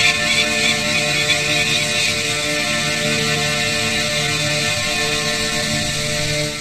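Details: Steady guitar-led instrumental music fills the whole stretch, with no animal voice standing out.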